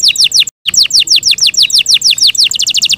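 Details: Yorkshire canary singing a rhythmic series of bright descending whistled sweeps, about five per second, speeding into a faster trill at the end, with a brief gap of silence.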